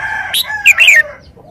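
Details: Red-whiskered bulbul giving a brief slurred, whistled phrase over a lower, drawn-out harmonic call that fades out. The whole phrase lasts about a second.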